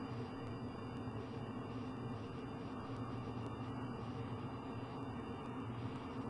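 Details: Steady low rumble of passing vehicles or aircraft, with faint tonal hum and no animal voice.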